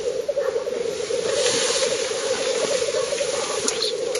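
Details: Black grouse displaying at a lek in northern Finland, 30 April 2011, recorded at 50–70 metres: an unbroken, throbbing bubbling chorus set against a hiss of broadband background noise.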